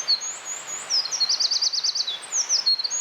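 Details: Eurasian wren in the wild, singing a bright, very high song with a loud rapid trill of about ten notes at its centre, framed by sharp whistled slurs.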